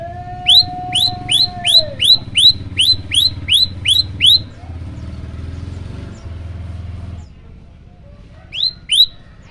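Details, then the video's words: Prinia known as prenjak lumut, singing actively in a varied 'tembakan' style: a run of about ten crisp, rising, hooked chirps in quick steady rhythm, a pause with engine hum and a low sustained whistle, then two more chirps. "prenjak lumut gacor tembakan variasi"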